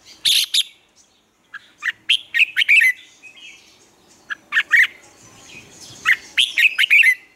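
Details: Captive Red-whiskered bulbul singing a lure song meant for training birds to sing in the morning; lively, chirpy phrases of quick rising and falling whistled notes follow one another with brief pauses.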